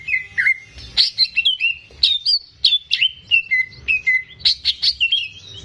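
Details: Greater green leafbird, a caged competition bird kept as a song model for training young birds, delivering a rapid varied song of clear whistled notes and sharp chirps, many sliding downward, in quick bursts.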